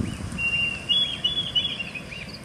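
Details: Diederik cuckoo in Salalah, Oman, giving thin, high whistled notes in short rising phrases, fairly faint over a low background rumble.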